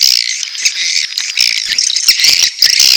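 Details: Swiftlet mating call with chick calls: a tight, rattling mass of high, scratchy chirps, continuous and many-voiced, with a few slightly louder clicks.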